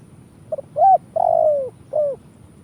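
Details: Indonesian spotted dove calling in the kuk 1 pattern used as a trapping lure: quiet short notes, an upward-bent coo, a long sagging coo and one shorter final coo, low-pitched and hollow against a quiet background.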